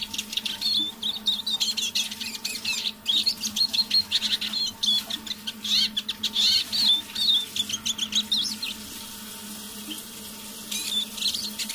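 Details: A kept Eurasian siskin used as a decoy sings half-voiced in the evening: a long, rapid, continuous high twitter of chattering and buzzy notes lasting about nine seconds, then a brief pause and resumption, over a low hum.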